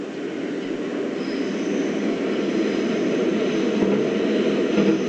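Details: Steady, broad rumbling like a passing aircraft or vehicle engine fills the air, with no animal calls.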